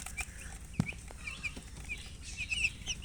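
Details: Domestic chicks, said to be chirping from thirst for drinking water. Thin, high peeps come in scattered bursts, some repeated quickly, over a steady background hiss with an occasional low thump.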